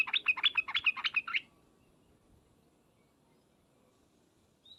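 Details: Sooty-headed bulbul call meant to draw an immediate answer from other bulbuls: one short burst of fast, bubbly, warbled notes lasting just over a second, followed by near silence.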